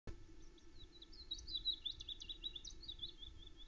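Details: Unseen songbirds singing near an osprey nest at Loch Arkaig around 9am on 21 May; a fast, sweet run of high twittering and warbled notes fills the clip over a low steady hum.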